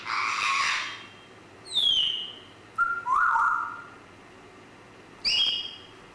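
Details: Grey parrot mixing a loud, rough squawk with several clean whistles. Some whistles slide downward and one is a level whistle with a wavering middle, with short pauses between the sounds.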